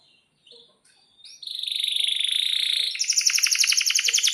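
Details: Canary singing a long, energetic song meant as a tutor recording for young canaries learning to sing: a few faint notes, then a sustained buzzy high trill that shifts into a faster rapid roll of repeated notes.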